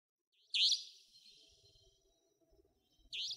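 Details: Savanna Nightjar in Pingtung County, Taiwan, recorded 2014–2015: two sharp, harsh, high-pitched rasping notes separated by about two and a half seconds of quiet, with faint low rumbling in the background.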